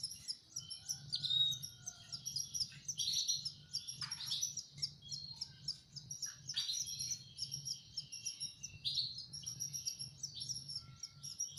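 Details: Canary nestlings at feeding time give continuous high-pitched chirping, with dense runs of thin squeaks, a few longer whistled notes, and occasional louder bursts, over a constant low hum.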